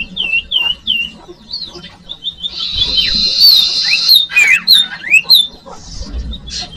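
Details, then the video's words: Common iora song, used as a lure sound for young birds: clear whistled notes repeated in short runs, then a busier stretch of overlapping sweeping whistles and chirps, with a low background hum. "Audio Suara Burung Cipoh/Sirtu/Sirdung cocok buat pancingan bakalan"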